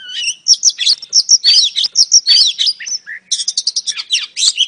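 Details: Oriental magpie-robin, a female luring a male: fast bursts of high chirps and twisting whistles, a brief pause, then a rapid series of scratchy clicking notes and whistles in a steady flow.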